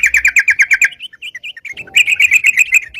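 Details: Sooty-headed bulbul singing gacor as a trapping lure: a quick string of evenly spaced bright chirps, a few loose scattered notes, then another rapid chirping run.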